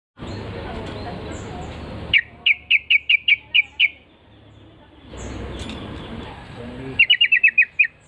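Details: Yellow-vented Bulbul (trucukan) answering a lure call: two bursts of rapid, clipped chirps repeated about eight times each, separated by a stretch of low rumbling background noise.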